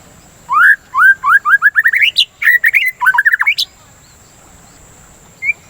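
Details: Shama song used as a singing lure and breeding-urge therapy: an accelerating series of rising whistles turning into harsh chatter, then near silence with one late note.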